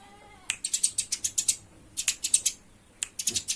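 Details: Sparrow fight: Eurasian tree sparrows utter rattling strings of shrill chirps in three volleys, a faint descending whine opening the sequence.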